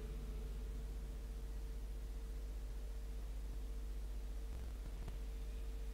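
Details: Steady static hiss with a constant low electrical hum and faint low rumble, no animal calls.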